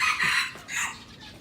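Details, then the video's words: Brief harsh crowing from a young red junglefowl of Aceh used as a lure, a short loud phrase fading out. "Ayam Hutan Aceh # Anak Ori jadi Pikat"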